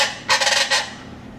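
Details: A chachalaca in Huatulco gives one harsh, raucous burst of about half a second, four or five rapid grating pulses, over faint background hiss, at about 6:30 AM.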